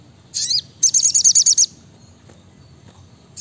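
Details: Sriganti (brown-throated sunbird) singing in the chatty, tight 'nembak rapat' style: one buzzy high note, then a quick string of seven shrill chirps, followed by near silence.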